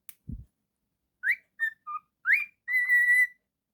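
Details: Domestic cockatiel after a soft thump: rising whistle, short level notes, a lower blip, another upward swoop, then a long steady whistle, clear and tonal.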